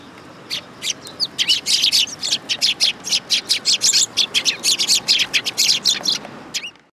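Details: Eurasian tree sparrows gathering to be fed at a shrine on 19 August 2022: loud, rapid chirping from several birds, a continuous run of harsh high notes about four per second for six seconds, ending abruptly.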